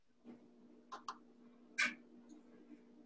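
American Crow giving three short, harsh, clipped notes: two quick rasps close together, then a louder burst a moment later, over a steady low hum.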